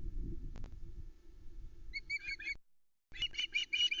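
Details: Juvenile osprey on the Loch Arkaig nest, 17 August 2020, screaming for fish; after low rumbling nest noise, a short burst of shrill, piercing repeated notes, then a louder run of harsh screams in the last second, picked up by a nest camera.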